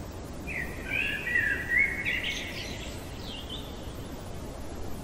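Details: Common blackbird singing at night: a low, rolling fluted warble leads into a thin, high, squeaky flourish, then the song stops, leaving steady background noise.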